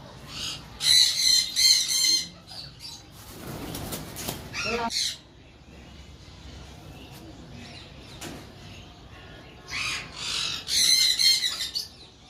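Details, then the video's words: Green-winged macaw calling in bursts of raucous, grating squawks, with a noisy flapping or rustling passage in the middle and quieter gaps between calls. "GreenWing macaw"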